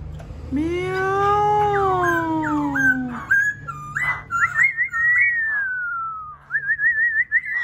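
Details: Laughingthrush song starting with a slow, rising-then-falling harmonic wail, followed by a string of bright whistles and a wavering, warbled trill that rises and falls.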